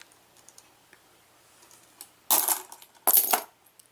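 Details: No animal voice: two sharp bursts of metallic clinking, like coins dropping, break an otherwise quiet room with faint scattered clicks.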